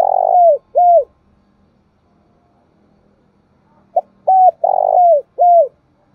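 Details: Spotted dove decoy in full voice, calling to provoke others into answering. A rolling coo and falling note at the start, then after a pause a complete phrase of short notes, a long throaty coo and a downward-bending final note.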